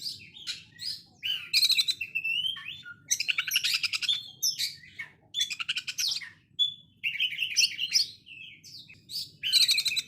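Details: Oriental magpie-robin with harsh 'konslet' phrasing like a sewing machine: repeated loud stuttering rattles and buzzy chatter, with scattered whistled notes and brief pauses throughout.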